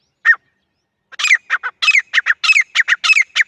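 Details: Grey francolin (teetar) in jungle: one single note, a pause, then a rapid string of loud, harsh, rhythmic notes in close pairs.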